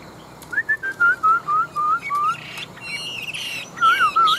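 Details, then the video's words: Old wild-caught Chinese hwamei, a big caged fighting bird with a fine wild-type voice: a string of clear, slurred whistles repeated about every quarter second, followed by higher, harsher ringing notes and a final looping whistle. "Họa Mi Bộ To, Chim Già Rừng Chất Giọng Rừng Rất Hay"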